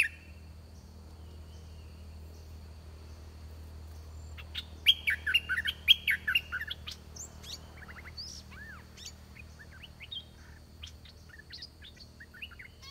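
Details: Decoy trapping of red-whiskered bulbuls. A wild bird arrives fast and is described as big, large-crested and a good singer. A burst of loud, jumbled whistled song comes midway, then many softer chirps and a steady low hum.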